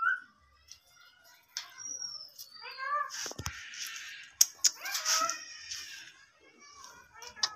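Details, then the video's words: Indian ringneck parakeet, a talking pet parrot, giving mixed harmonic speech-like phrases and rising squeaks, with bursts of harsh broadband noise in the middle and short clicks, in a small indoor room. "Ringneck Talking Parrot Natural Sounds"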